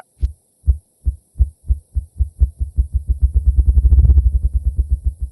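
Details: Ruffed grouse drumming in aspen forest regrowing after the Fox Lake Fire, made by the male beating its wings rapidly against its body: deep, muffled thumps start slow and well spaced, then speed up into a rapid whirring roll before fading.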